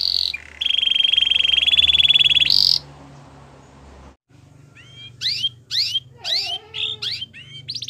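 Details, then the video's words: Canary song for training: a dense, buzzy trill held on one high pitch for about two seconds, a short pause, then scattered quick chirps sweeping up and down, over a faint low hum. "Canary's training song"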